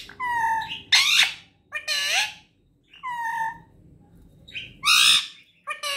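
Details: Pet parrot indoors giving a run of loud harsh squawks alternating with clear, tonal, slightly descending harmonic calls, in bursts about a second apart with short quiet gaps, in a small quiet room.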